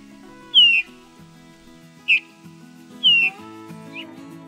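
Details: Eurasian bullfinch (Pyrrhula pyrrhula) giving three soft, piping, slightly falling whistles about a second apart, over quiet background music.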